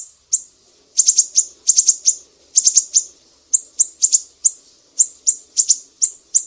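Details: Mangrove whistler, Sumatra, sharp 'besetan' master song for training songbirds: clusters of three or four shrill high chips alternating with brief pauses, over a faint low background hum.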